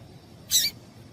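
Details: A lone sharp, high chirp, the piado of a female yellow-bellied seedeater used to warm up singing males, heard over soft background noise.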